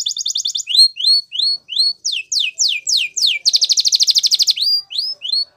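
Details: Timbrado-style canary training song opening with a fast pulsing roll, then spaced upward-sweeping whistles, quicker steep slurs and a dense rattling trill, ending with a few soft rising notes.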